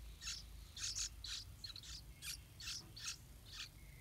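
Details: Two big Yellow-vented Bulbul chicks, almost able to fly, being fed by their parents at the nest, give thin, high, scratchy chirps, about two each second, over a low background rumble.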